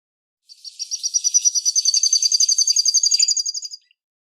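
A canary runs a fast, even trill of bright high notes, about nine or ten a second, edging slightly upward over three seconds.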